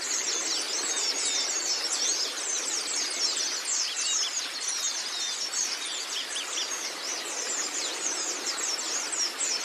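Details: Oriental white-eye song for training birds: thick layers of high, rapid chirping and twittering, many short notes tumbling over one another nonstop, with an even hiss beneath.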